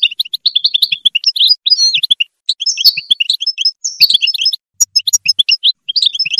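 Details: European goldfinch song used to motivate other goldfinches: rapid tinkling twitters and liquid chirps, bright high notes in dense bursts with brief pauses near the middle, occasional sharp clicks.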